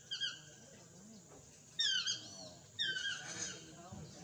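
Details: Yellow-throated (Chestnut-mandibled) toucan, Ramphastos swainsonii, in Costa Rica giving loud, yelping calls made of ringing, down-slurred notes in three bursts about a second apart.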